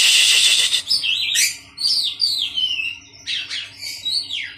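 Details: Oriental magpie-robins housed in a colony to settle a skittish bird and build its confidence. A loud harsh chattering burst opens the clip, followed by varied high whistled and twittering song phrases.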